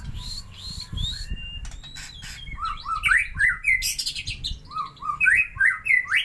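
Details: White-rumped shama song used to lure or provoke other birds: varied rich whistles and sweeping rising and falling notes, some quick slurred phrases, over a steady low background rumble.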